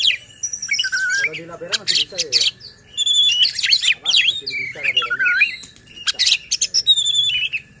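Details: White-rumped shama song used to provoke other shamas and to prompt silent birds to sing: varied bursts of sharp whistles, buzzy chatters and rising slurred notes separated by short pauses, over a steady electronic hum and low background talk.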